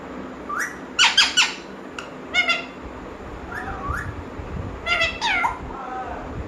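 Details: Talking parrot voice: clusters of rapid harmonic syllables, a wavering, warbled whistle in the middle, then more speech-like squawks with falling and rising tones near the end, against faint room hiss.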